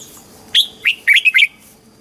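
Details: Red-whiskered bulbul song in Thailand, played to excite caged birds and to teach young birds, in the southern master style: one short phrase of bright, whistled, warbling notes, five quick slurred syllables.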